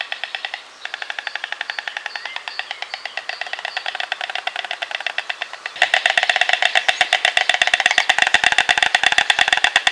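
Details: White storks greeting each other on their nest with hatched young clatter their bills loudly: a fast, dry wooden rattle of sharp clicks that grows louder and fuller partway through.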